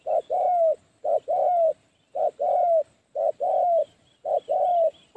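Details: Decoy spotted dove, 'phá lúa' calling to attract wild doves for trapping; five steady pairs of low coos, a short note and a longer one sliding slightly, roughly one pair per second, faint chirps behind.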